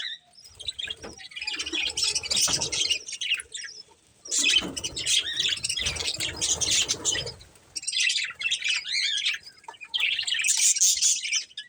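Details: Colourful budgerigars kept as a breeding pair, chirping in bursts of dense, high twittering and scratchy chatter with short quiet gaps between; faint low thumps underneath.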